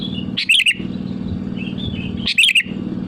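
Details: Sooty-headed bulbul singing actively to call rivals, for use as a lure: two short, rich, liquid phrases about two seconds apart, with quiet twitters between, over a low droning background.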